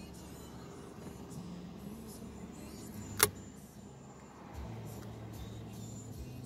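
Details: Low engine-like hum with one sharp click near the middle, with no animal calls.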